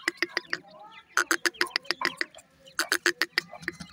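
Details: Partridge chicks feeding and calling at night give quick bursts of sharp, high peeps mixed with soft clicks, several in a row, pausing briefly between flurries.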